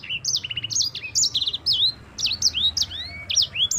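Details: Rolling 'ngerol' song of a champion yellow-fronted canary kept as a lure for training other birds: fast sequence of clear whistled notes, short stuttered trills and downward slurs, ending with a long rising whistle, over faint low hum.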